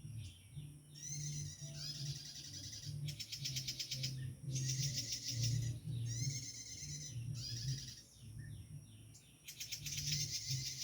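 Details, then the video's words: Wild bar-winged prinia, a bird still common in its natural habitat, giving rapid, rattling, high-pitched buzzy bursts and sharp chirped phrases, each lasting about a second, separated by short pauses, over a steady low hum. "suasana burung prenjak tamu di alam liar masih banyak"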